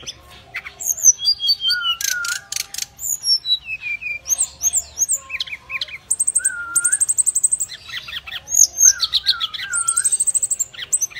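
A brown-chested jungle flycatcher gives a busy run of high chirps, slurred whistles and fast buzzy trills, packed closely together with barely a pause.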